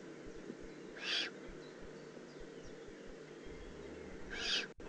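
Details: Young Eurasian eagle-owl, Eifel, June 18, 2016, giving two rasping, hiss-like calls roughly three seconds apart, short noisy bursts against quiet night background noise.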